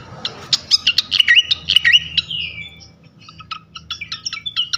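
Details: Flycatcher sound played as a lure to provoke rival flycatchers: a rapid series of sharp, squeaky chirps and twittering notes, a brief pause near the middle, then more clipped high chirps, with a soft low hum underneath.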